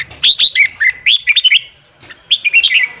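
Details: Red-whiskered bulbul morning song used as a voice-training track for wild-caught bulbuls: bright, bubbly whistled phrases, quick rising and falling notes in two bursts separated by a brief pause.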